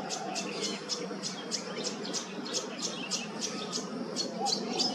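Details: Queensland tawny grassbird giving a long run of crisp, high ticking notes, roughly four each second and fairly regular, over a soft, constant low rumble of background noise.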